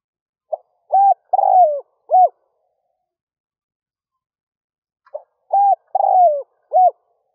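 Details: Spotted dove used as a decoy to draw in wild doves, giving two identical cooing phrases about four seconds apart, each a quick pick-up note, arched coos and a long descending coo, in silence.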